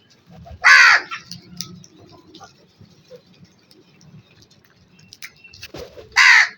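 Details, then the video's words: Black crow calling: two loud, harsh, buzzy caws about five seconds apart, with quiet low rumbling and faint background noise between them. "Wonderful Black Crow Sounds"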